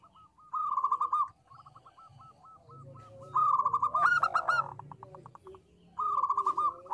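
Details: Local zebra dove singing in small-voice style: a rapid trilled coo burst, a quieter string of spaced notes, then two more loud stuttering phrases, one with a sharp clatter.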